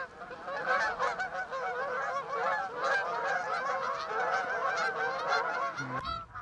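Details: A flock of Canada geese passing over West Somerset near Exmoor on an autumn morning, late August to September; dense chorus of many overlapping honks, loud and continuous, ending with a sharp knock.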